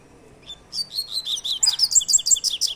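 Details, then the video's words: Double-collared seedeater singing its "tui tui" three-note song type: a rapid, steady series of high, piercing chirped notes running for about two seconds, with little background noise. "tui tui 3 nota"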